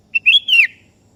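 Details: Sooty-headed bulbul, a kebo-type bird in full voice, calling a rival that answers: a short bubbly phrase of three liquid whistled notes, the last sliding downward, over a quiet background.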